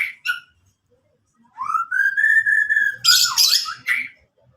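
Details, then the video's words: White-rumped shama song: two short clipped notes, a pause, then a long clear whistle rising and holding steady, breaking into harsh, noisy squawky phrases before a final whistled note. "murai batu"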